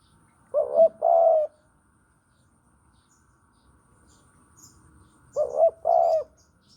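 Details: Javan spotted dove cooing, played as a trapping lure: two low two-part phrases about five seconds apart, each a short warbling note followed by a sustained hollow coo, with faint high chirps of small birds in between.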